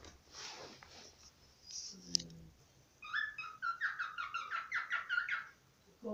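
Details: A pet cockatiel, now deceased, whistles a quick run of bright, repeated notes rising and falling in a steady rhythm, the way it used to sing.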